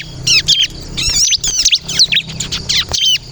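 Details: Lure song of a bar-winged prinia (ciblek kristal) meant to get other birds to answer: busy, high-pitched twittering with sharp chirps and short warbled bursts, steady low hum underneath.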